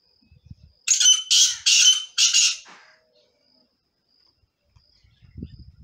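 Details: Partridge, one of several different partridges: four loud, harsh, raspy squawks in quick succession over about two seconds, then near silence with faint low rumbling noises at the start and end.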